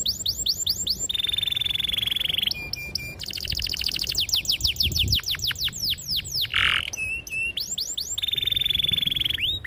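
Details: Singing canary used as a lure to prompt young canaries to learn and sing: long, clear, sharp song mixing rapid downward-sweeping whistles, steady high trills and fast rolling phrases, delivered continuously.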